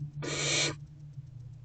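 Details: Barn owl owlets in a wild nest box begging while still waiting for their mother, early evening of 3/3/24: one loud rasping hiss lasting roughly half a second, with a constant low hum underneath.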